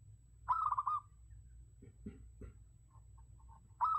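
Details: Zebra dove used as a lure bird, giving a half-second burst of quick, bubbling coos, then a few soft low thuds, and another cooing phrase beginning at the very end.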